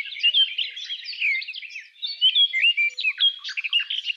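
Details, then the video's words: A Eurasian Blackcap sings a fast, continuous warble of varied chattering and whistled notes, high-pitched and rambling, with no other sounds. "Eurasian Blackcap"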